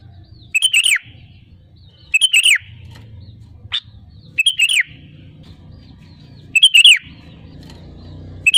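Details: Sooty-headed bulbul singing vigorously, played to draw other birds into song: four short bubbly phrases with a downward-slurred ending, spaced about two seconds apart, over a steady low hum and a single sharp chip.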